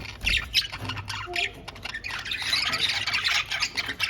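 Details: Playful caged budgies fill the air with fast, overlapping chirps and a rising wash of scratchy warbling chatter, busiest in the second half, with light thuds early on.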